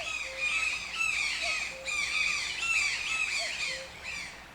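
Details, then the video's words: Toucan squawks, harsh and repeated roughly twice a second, rise and fall in loudness. A separate soft, low, pure whistled note sounds several times beneath them, evenly spaced. "TOUCAN SOUNDS - Toucan Sound Effect"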